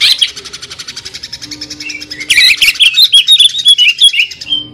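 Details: Greater green leafbird singing in the jamtrok tembakan style known as the sewing-machine sound: a rapid mechanical pulsing rattle, then loud slurred whistles rising and falling around the mid-high range in quick succession, with a faint low hum underneath.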